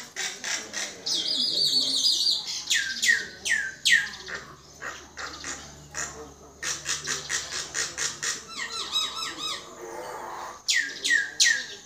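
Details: Common myna giving a loud, varied run of notes: sharp descending sweeps from high to low, harsh clustered chatters and warbled phrases in quick succession, with brief quiet gaps between bursts.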